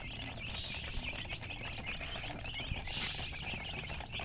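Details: Freshly hatched chicks of domestic chicken giving a dense chorus of shrill, rapid peeps, steady throughout, against low background rumble.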